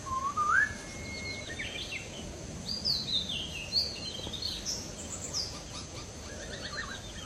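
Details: Masked laughingthrush (poksay Hongkong, poksay jambul) in the wild: a rising whistle followed by a long flat tone, then a jumble of high varied whistled notes over steady background hiss.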